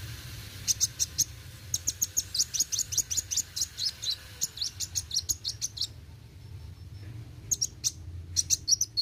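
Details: Kolibri wuling sunbird singing in an energetic 'roll tembak' style: long rapid volleys of shrill, clipped chirps repeated many times a second, a brief quiet stretch, then renewed bursts of piercing high notes over faint low hum.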